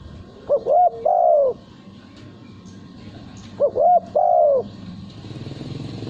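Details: Captive male spotted dove, valued for its melodious contest cooing, repeating a phrase twice: two quick soft notes then a longer falling coo, with a pause of about two seconds between phrases.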